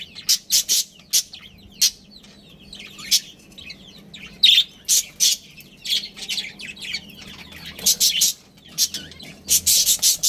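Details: Budgerigars, Australian parrots kept as a breeding pair with family, give loud, sharp, high chirps in clusters, with scratchy warbled notes between them throughout.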